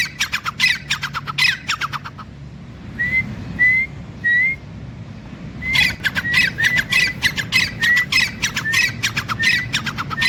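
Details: A grey francolin dust-bathing and playing in soil on the ground, wary of kites overhead, gives bursts of harsh, grating squawks about two per second, broken by a few short rising whistles.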